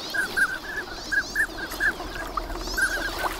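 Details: Morning at Nagahama, Lake Inawashiro, where a large flock of wintering ducks gathers in fine weather. Clipped, piping whistles come about once a second, some paired or doubled, over a low background rumble.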